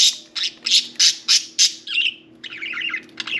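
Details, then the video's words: Happy pet budgies: a string of six loud, harsh squawks about every quarter second, then a lower buzzy warble and continued chattering. "Happy Budgies"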